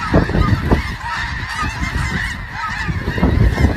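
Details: Snow geese, a loud close flock producing a nonstop tangle of short nasal honks over heavy low-frequency noise.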